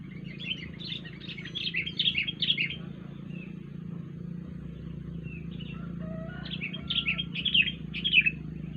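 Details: Wild sooty-headed bulbul uttering a strange call: chattering groups of quick bubbly chirps, a gap holding a few soft lower whistles, then a second lively chattering burst, all over a steady low hum.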